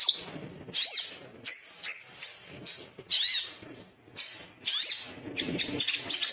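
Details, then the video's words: Little spiderhunter male, emotional and looking for a rival, singing with high sharp chips and squeaky bursts delivered irregularly, some notes sweeping down, with short pauses between groups. "PANCINGAN CEPAT BUNYI DAN NGALAS❗TERAPI GACOR"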